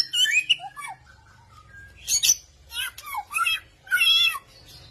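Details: Samyong bird singing vigorously, with many varied sounds: bursts of high whistled and twittering phrases with quick rising and falling notes, separated by short pauses, over a faint low hum.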